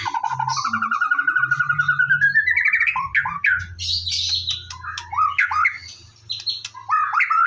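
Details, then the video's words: White-rumped shama singing in the morning to stimulate other birds: a long, steadily rising series of rapid repeated notes, then loud, varied, whistled phrases, over a faint low drone. "PANCINGAN BURUNG MURAI BATU DIPAGI HARI AGAR GACOR"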